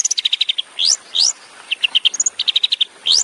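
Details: Tembakan-style song of a long-tailed shrike used as a training master for songbirds: fast series of high clipped notes, interrupted by two steep rising whistles, another chip series, and a final upward sweep.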